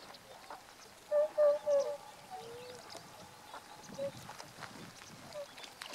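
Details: Tundra swans filmed on 1 January 2014, adults and a juvenile present; three loud, short, level tonal notes in quick succession, then fainter scattered notes against a soft outdoor background.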